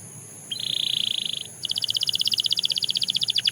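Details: Song of a Belgian canary: an even, buzzing tone lasting about a second, then a quick repeated chirping roll of about four notes per second, with deeper strokes creeping in at the close.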